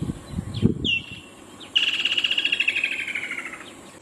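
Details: Woodland kingfisher call: a few sharp introductory notes, then a long, fast, stuttering trill that drops gradually in pitch and fades out after nearly two seconds; some low rustling at the start.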